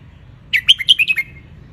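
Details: Wild Ratchaburi red-whiskered bulbul, Thailand, sunbathing, recorded to teach young birds: one brisk phrase of about seven clear, bouncy whistled notes ending with a downslurred note.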